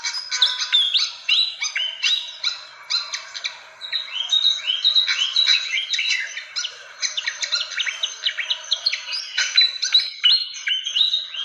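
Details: Fantail call for luring birds: a long, unbroken chatter of high chirps and twittering phrases with rising whistled notes, steady and busy throughout.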